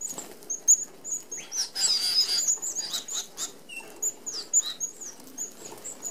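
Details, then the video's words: Australian native red-browed finches feeding as a flock at an open aviary feeder with small mesh: many short, thin, very high chirps scattered throughout, with a burst of whirring wing and rustling noise near two seconds. "Red Browed Finches"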